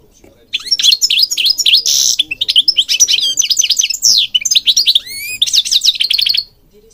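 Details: Goldfinch singing in Morocco, a lively run of rapid twittering notes, a buzzy rattle and rising whistled slurs, ending in a fast trill.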